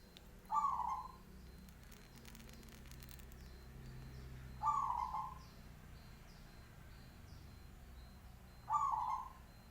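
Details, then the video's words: Local zebra dove with a big, loud voice: short, low burbling coo phrases rolling downward, repeated about every four seconds, with faint high chirps of other small birds and a steady background hum. "perkutut lokal suara besar"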